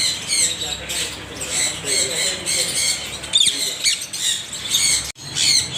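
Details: Parrots screeching in a continuous harsh chorus, with grating squawks, a couple of thin whistled notes, and a brief silent break near the end.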